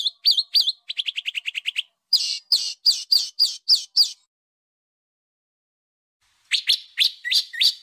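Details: Harsh tutor song used to train home and contest birds: looping whistles and a quick stuttering trill, then sharp chips, a long silence, and finally a burst of rising, slurred whistled notes.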